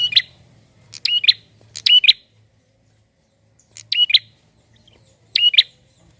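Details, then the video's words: A lively male prinia used to stir other birds to sing gives five abrupt chirped phrases. Three come quickly in the first two seconds, then after a pause two more. Each is a crackly burst ending in a squeaky doubled note. "PRENJAK JANTAN GACOR untuk pancing bunyi burung bahan"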